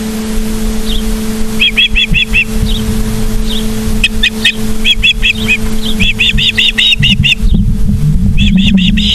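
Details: Osprey calling at its nest in Charlo, Montana, 24 August 2023, 17:43: quick bursts of three to five high, piping whistles, coming faster toward the end, over a steady low electrical hum.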